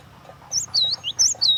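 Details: Cinereous tit's lure song in close-up, two quick whistled phrases, each a high note falling into a scooped lower whistle, bright and loud above a quiet low hum.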